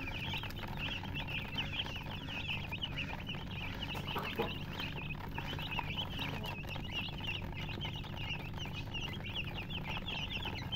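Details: Many baby chickens peep nonstop, their high, quick chirps overlapping into a busy chatter above a constant low background drone.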